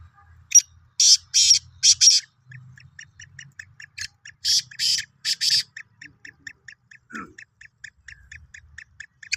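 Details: Harsh rasping phrase of a Sindhi black francolin, three loud scratchy bursts, a pause, then three more, over a steady run of soft regular clicking notes.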